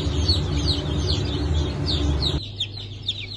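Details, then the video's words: Freshly hatched Brahma and Ottoman Sultan chicks, hatch dated 10 August 2024. Rapid high, falling peeps from several chicks over a low hum that cuts off partway, leaving clearer, sparser cheeps at the end. "Yeni Çıkım 10.08.2024 - Osmanlı Sultan, Brahma"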